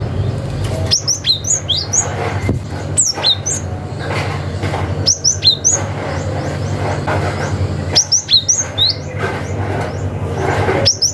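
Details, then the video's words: Wild cinereous tit calling out to rivals, a sound used to lure young forest birds: bursts of sharp, high, downslurred chirps in clusters separated by pauses, over a steady low hum. "SUARA gelatik batu ngalas manggil lawan - cocok untuk PANCINGAN gelatik muda hutan"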